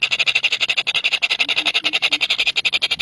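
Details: Three very hungry baby birds keep up a rapid, even stream of high, buzzy pulsed chirps, about ten per second, with no pause throughout.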